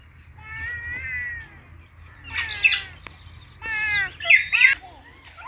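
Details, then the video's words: Talking Indian ringneck parakeet greeting an Alexandrine parakeet: drawn-out, wavering, voice-like tones, then harsher squawky bursts and quick rising syllables, with a low hum underneath. "Talking Indian Ringneck Parrot Greet Alexandrine Parrot"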